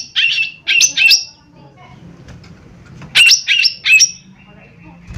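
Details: Lesser green leafbird (cucak ijo mini) calling harshly as a lure meant to draw a quick response. A burst of three scratchy notes, a quiet gap with faint rustling, then three more grating notes.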